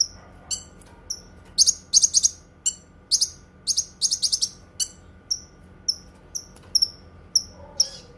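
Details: Cucak kinoi song as tutor and therapy material: clusters of rapid shrill chirps give way to a slower series of evenly spaced high whistled pips, roughly two per second.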